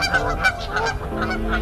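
American black duck giving a few harsh, nasal honking quacks in quick succession, with steady low tones, possibly music, underneath.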